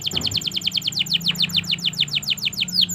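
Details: Canary singing a long trill to prompt silent canaries to sing: rapid descending high notes repeated steadily throughout, ending with a few slower sweeping notes, over a faint low hum.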